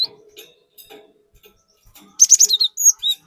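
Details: Cinereous tit (gelatik batu) lure song in 'gacor' style: quiet faint chips at first, then a loud sudden flurry of shrill, stuttering whistles followed by two clear slurred notes.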